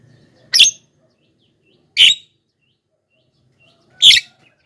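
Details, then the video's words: Javan myna calls used to lure wild mynas: three isolated, short, harsh, scratchy notes about one and a half to two seconds apart, with faint low background noise. "suara BURUNG JALAK KEBO,gacor menggelegar,semua jalak kebo auto nyahut"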